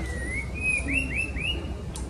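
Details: Wild white-rumped shama singing: a long steady whistle, then four quick upward-slurred whistled notes, each with a faint higher overtone, over a low background rumble.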